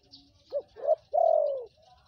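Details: Spotted dove call used as a lure for wild birds: a short low coo, then a louder note and a long drawn-out falling coo with a faint purr.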